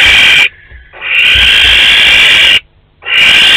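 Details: Barn owls, a pair visiting the nest box at Théding, France, 12 May 2020; loud rasping hissed screeches lasting over a second, separated by brief pauses.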